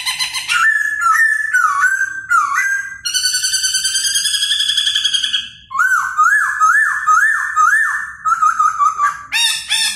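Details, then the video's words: Laughingthrush performing song and dance with varied loud whistles, a sustained harmonic-rich trill, a run of rising looped notes, and a final burst of scratchy notes. "CHIM KHỨU CĂNG LỬA II HÓT - MÚA HAY"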